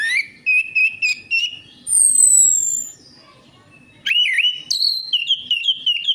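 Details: Lure recording of orange-headed thrush singing, meant to coax silent birds into song: sustained whistled notes, then a long descending high whistle, a pause, and rapid looping warbled phrases that rise and fall.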